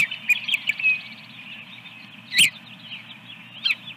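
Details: Osprey on a nest holding eggs, Dunrovin Ranch, morning of 24 April 2022: rapid high whistled chirps in the first second, followed by two loud knocks or bumps over constant low hum.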